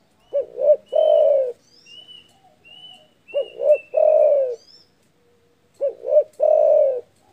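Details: Loud spotted dove call aimed at stirring up rivals: three phrases of two clipped coos then a drawn-out falling coo, while thin whistled chirps of other birds sound between them.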